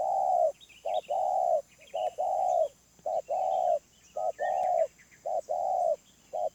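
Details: Wild spotted dove calling loudly and clearly in a medium voice, a repeated sequence of short clipped coos and longer drawn-out hoots, with soft chirps of other birds behind.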